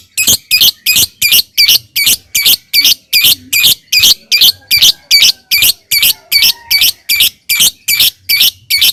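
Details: Lovebird lure song for triggering other lovebirds to sing: a steady run of harsh, rasping chirps at about two and a half per second, evenly repeated throughout.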